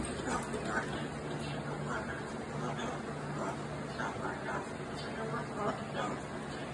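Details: Buster the cockatoo babbles to a broom as if telling a story, in a run of rapid, speech-like syllables that rise and fall like human talk, over a steady low electrical hum.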